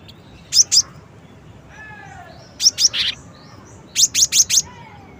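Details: Cinereous tit song variant made of short clusters of high, clipped chirps: a pair, then three notes, then a brisk set of four, with a soft lower whistle in between.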